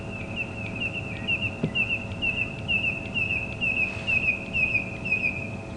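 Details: At dawn on 1 September, the first day of spring, at Djuma Game Reserve, a Red-crested Korhaan, silent all winter, gives a run of short, sharp whistled notes, about two a second, over a steady high ringing tone and soft dawn chorus.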